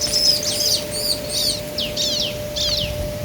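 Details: Male and female bar-winged prinia exchanging calls, ngobra style: four quick arched whistled chips, then three descending buzzy slurs, high-pitched over a faint constant hum.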